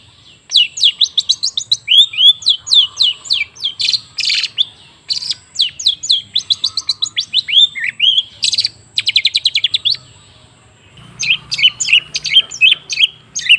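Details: Lure song of a long-tailed shrike meant to coax a silent bird into singing: long runs of rapid, high, down-slurred notes and short buzzy bursts, a brief pause, then more fast chipping.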